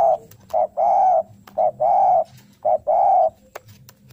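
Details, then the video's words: Lively spotted dove giving its fighting call while seeking a rival, kept as a training bird: paired coos, a short hoot then a long buzzy, hoarse coo, repeated about once a second, with faint clicks and tapping. "Derkuku gacor suara narung cari lawan"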